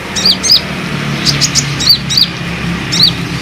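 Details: Olive-backed sunbird lure call, used to draw other sunbirds into responding: sharp high chirps with a downward hook, given in loose pairs about every second over a low engine hum.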